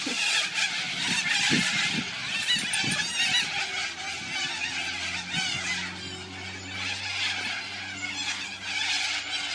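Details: A flock of cockatoos screeches harshly without pause, with many raucous overlapping calls, as they fly past and gather in the tallest tree on a summer evening in Geelong, Victoria. Low engine hum.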